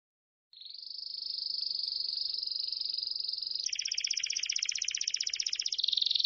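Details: Song of a Belgian canary, opening with a long sustained high trill that shifts into a buzzier, rapid rattling phrase, then ends on a steadier high trilled note, with faint low background noise.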